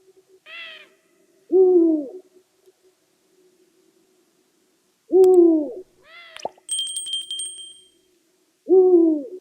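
Eurasian eagle-owl giving deep, two-part booming hoots every three to four seconds, with a brief metallic ding partway through.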